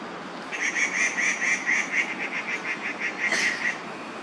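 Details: Crested goshawk at Daan Forest Park, 4 July 2020, late morning, where fledglings and their mother were being watched; a rapid run of about a dozen sharp, nasal, evenly spaced notes, several per second, over quiet park background.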